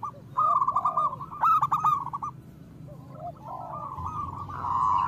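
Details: Zebra dove, a local bird, singing as a lure to stimulate reluctant doves: one loud rolling stuttered coo phrase with softer lower curved notes, then a fainter second phrase, over low background hum.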